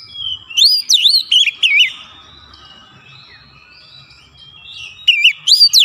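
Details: White-rumped shama song used as a lure to provoke other shamas: loud whistled phrases with wavering, swooping notes in quick bursts, a quiet pause in the middle, then more rising and falling whistles.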